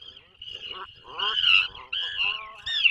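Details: Atlantic puffin at its nesting burrow far off Maine's coast in the 2024 breeding season: a loud nasal, wavering growl in several short bursts, harmonics sweeping up and down, with seabird calls audible outside.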